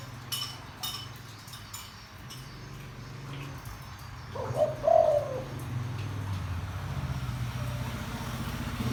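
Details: Spotted dove with a deep voice calling to lure wild doves. One soft two-part coo around the middle, set against a steady low rumble and occasional clicks.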